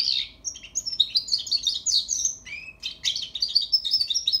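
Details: European goldfinch fledgling working on its song: dense, high-pitched twittering phrases with tinkling chirps and a couple of lower swooping notes, delivered nearly without pause against a quiet background hum.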